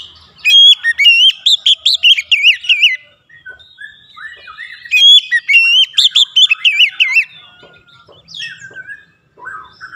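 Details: Oriental magpie-robin song used to encourage a caged bird to sing with varied fill-in notes: two rapid bursts of bright whistles and trills sweeping up and down, followed by softer scattered chirps.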